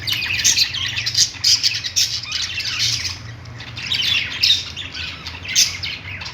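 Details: Budgies playing, giving quick chirps mixed with sharper squeaky notes that come in clusters roughly every second, over a soft background hum.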